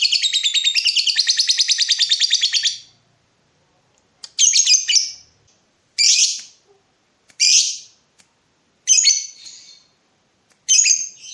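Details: Lovebird in breeding mood provoking a rival: a rapid, rattling trill lasting nearly three seconds, then a run of harsh, separate chirps spaced about one and a half seconds apart.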